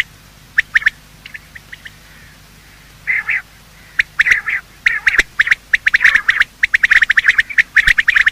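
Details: Male and female quail morning calls used to attract quail for hunting: a few sparse high clicks and a short buzzy burst at first, then increasingly dense volleys of sharp notes.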